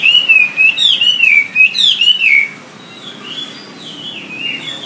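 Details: Wambi song for training songbirds: a loud wavering whistled trill undulating up and down for about two seconds, followed by softer, more distant rising and falling whistles.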